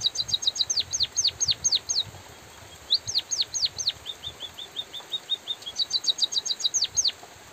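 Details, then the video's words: Loud, steady white-headed munia song with light rain behind: bursts of rapid high ticks alternate with sharply downslurred thin whistles, plus a run of soft level chirps, in repeated phrases with short pauses. "suara burung emprit pipit bondol kaji gacor jeda natural dan suara hujan"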